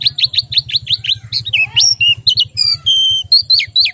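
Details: White-eye low in breeding condition: a quick series of high downslurred chips opens the phrase, then varied whistled notes, some flat and pure, others warbled, above a constant low hum.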